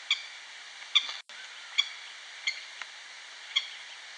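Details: A female Eurasian coot in Katowice, Poland, gives five short, sharp, high-pitched notes about one a second over steady hiss; she began calling when other ducks, not her family, started to fight.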